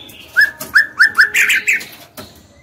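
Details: Female white-rumped shama singing to provoke males into song: a series of short rising whistled notes repeated every third of a second, ending in a brighter buzzy trill, with soft background noise.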